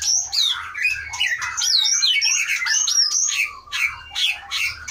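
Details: White-rumped shama of the Aceh type, caught in 2012 in Pining forest in the Leuser mountains and kept in a breeding cage since 2017, singing a rich, varied run of clear whistles, swooping slurs and rapid chattered notes, with a low hum beneath.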